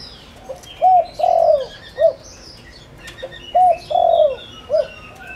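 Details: Lure spotted dove cooing to stir wild doves: two phrases of soft low coos, a brief lead note, a stretched falling middle coo and a clipped final note, about a second apart, small birds twittering faintly.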